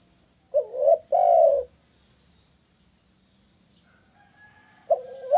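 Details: Spotted dove sound used as a lure for other doves to answer: two mellow coos, the second longer and fuller, a long quiet pause, then the start of a fresh coo at the end.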